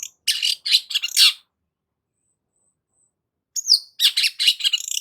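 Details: Long-tailed shrike singing energetically, meant to excite stressed shrikes: a second of harsh rapid chatter, over two seconds of silence, then a thin rising whistle and renewed scratchy chattering.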